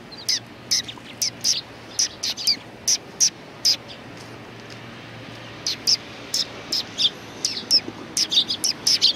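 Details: Neighbouring sparrow flock at a Tenmangu shrine in Japan, 14 March 2019: scattered high chirps with pauses, then a denser burst of overlapping calls near the end.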